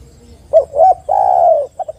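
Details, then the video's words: Spotted dove lure recording to set other doves calling: two soft hoots followed by one long, smooth descending coo and a pair of quiet short notes. "PANCINGAN TEKUKUR AGAR BUNYI"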